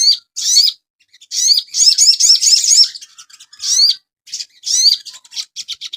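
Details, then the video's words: Asian pied starling singing in a master recording for caged birds. Long runs of rapid, buzzy, chattering phrases with repeated rising whistled notes are broken by short pauses. "TERAPI BURUNG SOGON – MASTERAN AGAR CEPAT GACOR"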